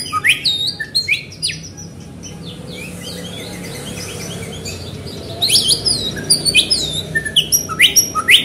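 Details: Fast, energetic white-rumped shama song meant to prompt other shamas to sing, with bright whistled sweeps and rapid high chirps in two bursts separated by a quieter stretch, above a constant low background hum.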